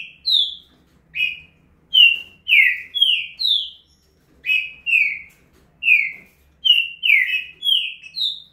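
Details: Green-winged saltator male pouring out the quick 'estouro' song: bright whistles dropping in pitch, about eighteen notes delivered in short rushed phrases with momentary pauses.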